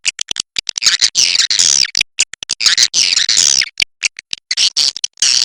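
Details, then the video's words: Cave swiftlet of the China type uttering long grating twitters mixed with bursts of quick clicks, with volleys coming back every second or two. "SUARA BURUNG WALET WALET GOA CHINA"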